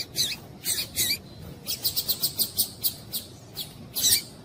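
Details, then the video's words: Female double-collared seedeater call used to stir up males: a lively run of high, thin chips and tweets, some paired, then a fast regular burst of about a dozen notes before sparser closing chips. "Piado de Fêmea de Papa capim Para Esquentar Papacapim"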